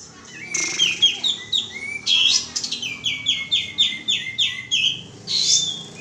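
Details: Bulbul known locally as kapas tembak, used as a lure call: a rapid run of sharp, chirpy descending notes repeated about four times a second, after a few louder opening chirps.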